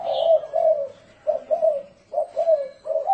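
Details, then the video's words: Thổ rền cooing of a spotted dove, used to lure wild doves: three low, hollow coo phrases, each a quick note followed by a longer wavering one, with a brief chirp at the start. "Tiếng chim cu gáy thổ rền mới hay âm thanh to rõ ràng ko tạp âm dùng kích bổi"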